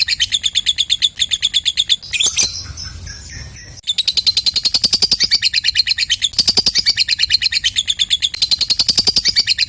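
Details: Lovebird's ngekek chatter, used to prompt other lovebirds to start singing; fast, high, pulsed chattering broken for about two seconds by a harsh noisy rasp, then resuming in a long steady run.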